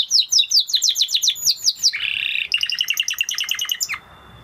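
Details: A Spanish Timbrado canary sings a fast run of bright, repeated chirping notes, breaks into a brief buzzy roll, then returns to quick, high rattling trills.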